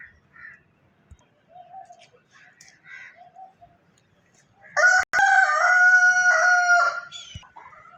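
A rooster gives one loud, drawn-out crow lasting about two seconds, after soft clucks and quiet calls from hens.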